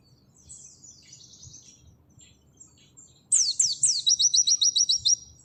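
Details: Pleci, an Oriental white-eye, in 'nembak sejalur' masteran song: soft faint high twittering first, then two loud steeply falling whistles leading into a rapid string of clipped high notes.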